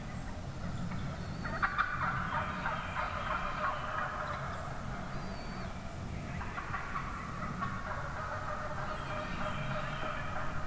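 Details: Huge flock of wild turkey hens heard one morning in the woods: rapid, uneven yelping from many birds at once, swelling in two waves, with a few loud close clucks.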